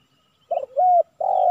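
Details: Spotted dove (tekukur) cooing during a trapping session with a decoy bird in Silaban village, Lintong ni Huta district. The target is a 'kuk 3' male. Three mid-pitched coo notes: a short one, a smooth arched one, then a longer steady one.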